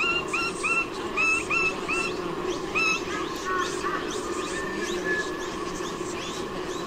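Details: Parent white-bellied sea eagles at their nest in Sydney, Australia, on 16/10/2018, driving off intruders while the juvenile is away; a burst of short rising honks, then scattered fainter notes against constant rushing noise.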